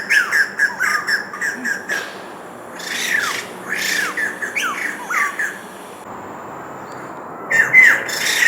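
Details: White-crested laughingthrush, an introduced resident at Rifle Range Nature Park, Singapore, in June 2024: harsh, loud chattering squawks in rapid bursts, with a brief lull midway before the calling resumes.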